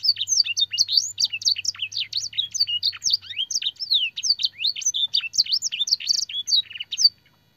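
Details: Canary training song with blackthroat and sanger fill phrases: fast, crowded chirps and swooping whistled notes for about seven seconds, then ending abruptly in silence. A faint low hum is heard early on.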